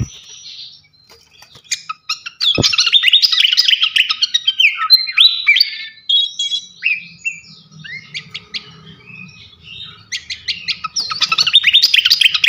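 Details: A long masteran recording of a champion srikatan kipas flycatcher: excited, continuous high chattering and whistled trills, varied rising and falling phrases, a softer middle passage over low hum, then another rapid burst.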